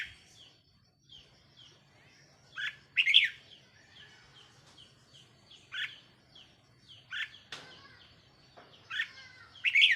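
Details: Red-whiskered bulbul decoy bird, caged, recorded 4 May 2023, repeating bright warbled chirps every few seconds among softer downslurred notes of other birds and a faint steady hum.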